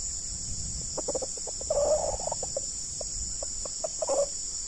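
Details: Red junglefowl, a decoy bird meeting a very fierce wild bird, giving a series of short, uneven clucking notes with a couple of longer, harsher calls, over a steady high insect drone.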